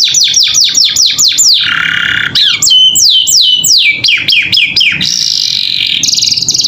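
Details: Canary song in captivity for training young birds, vigorous gacor filler style: repeated falling whistles, a buzzy rasp, sliding rising and falling notes, and a closing quick trill.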